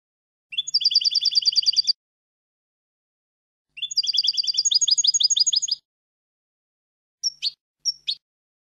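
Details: European goldfinch singing for the training of young goldfinches: two long bursts of rapid, even, tinkling trills on two pitches, followed after a pause by a few short, separate sharp calls.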